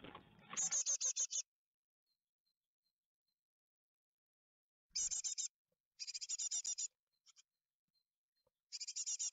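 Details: Great tit fledglings leaving the nest at Ostwald, France, on 14 May 2021: bursts of high, harsh, rapidly repeated calls separated by silences, with a low rustle at the start.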